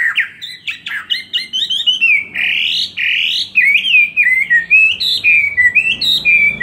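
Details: Chinese hwamei, a caged bird kept two years, in full fighting song: a loud, continuous run of rich whistled phrases, rising and falling slurs and quick repeated notes, varied throughout with barely any pauses.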